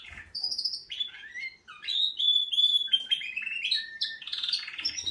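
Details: Canaries giving a wake-up song: a rich run of bright whistled notes and trills, stepping between high and middle pitches, with sharp repeated chirps and short warbled phrases following closely one after another.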